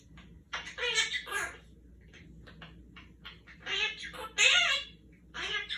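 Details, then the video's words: Quaker parrot kept as a pet, talking during a peek-a-boo game with its owner: a run of shrill, chattering word-like syllables, some clipped and some drawn out, in a small quiet room. "Quaker parrot talking"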